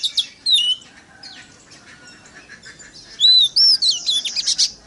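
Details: White-rumped shama song for provoking other shamas: scattered whistles and a quiet pause, then a loud run of clear rising and falling whistled notes.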